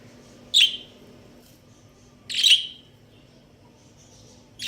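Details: Chirps from a breeding pair of budgerigars, the Australian parakeet, come as three loud scratchy bursts spaced about two seconds apart with near silence between.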